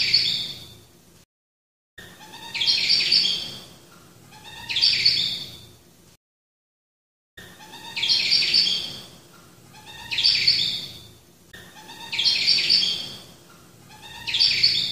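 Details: Black-throated finch giving bright, high chirpy bursts about every two seconds, each with a short lower tone before it, broken by brief silent gaps.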